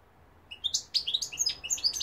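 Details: Short, busy phrase of high chirps and twitters from a European goldfinch, known locally in Algeria as mqnin, rising in pace toward the end.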